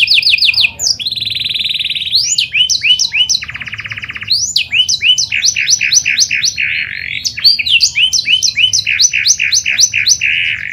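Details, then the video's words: Lure song of a pied panda canary for setting other canaries singing: varied phrases of fast rolls, buzzy trills and strings of repeated rising chirps, delivered continuously and loudly over about ten seconds. "PANCINGAN KENARI PANDA GACOR"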